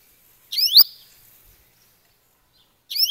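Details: Double-collared seedeater (coleiro) in the grego paulista gravata style: one short, loud phrase of two or three high, steeply rising whistled slurs, then silence, and a second phrase starting at the very end.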